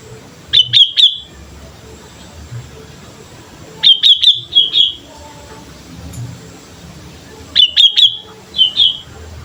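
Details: Chatty sooty-headed bulbul used as a lure, delivering three bursts of crisp chattering notes several seconds apart, each burst of three to five quick chirps, over steady low background noise.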